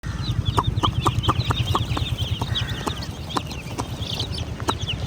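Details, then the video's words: Baby chickens chirping: high peeps overlap densely, mixed with sharp clicking knocks and a steady low rumble underneath. "Chimerical BABY Chicks are Doing Chirping Sounds! MURGI Ke Bacche!"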